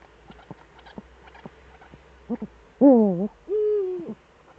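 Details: Both Eurasian eagle-owls back in the Eifel, Germany, 11 March 2013, 18:47. Faint short notes and clicks come first, then a loud wavering harmonic call and a level, arched note right after it.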